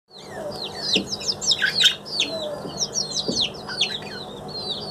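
Young budgerigars chattering in quick, high, scratchy chirps that overlap almost without pause.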